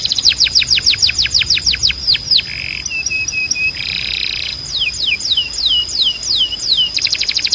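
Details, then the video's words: Song of a Timbrado canary for training young birds: rapid rolling trill, a buzzy burst, low flat notes, another buzz, then slow descending whistled slides and a fresh fast roll. "Canário Timbrado 🎶 Som de Alta Qualidade para Encarte e Treinamento"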